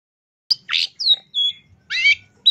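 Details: Tembakan master song of a long-tailed shrike for songbird training: a few loud, widely spaced notes, with a buzzy burst, two clear whistled slurs and a raspy trill.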